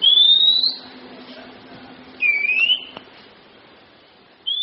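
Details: Kacer (Oriental magpie-robin) song for training kept songbirds: a long, high whistle rising gently, then a lower upslurred whistle after a pause, then the start of another high note.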